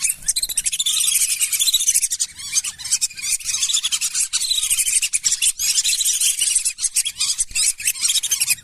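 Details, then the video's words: Wild-duck lure of lesser whistling ducks for rice fields, swamps and wetlands: a constant, tightly packed mass of thin, high whistling notes with rhythmic pulses, running without a break. "Belibis Liar Auto Berdatangan | Suara Asli Jernih"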